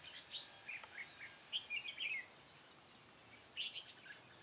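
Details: Decoy red-whiskered bulbul, white-cheeked, 'ché cười' singing style, trapping session dated 22 June 2018. Scattered short chirps build into a fluid warbled burst, followed by a few more clipped notes, over a constant shrill insect tone.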